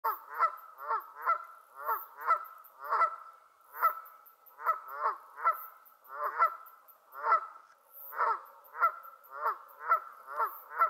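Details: Canada goose on Lake Waikare giving loud, nasal two-note honks, about two a second in uneven bursts with brief pauses between runs.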